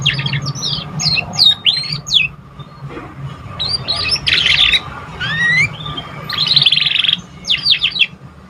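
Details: A young canary practising its first song, used to encourage other birds to sing: clusters of sharp chirps alternate with rasping buzzy trills and a few clear rising whistles, over a faint low hum.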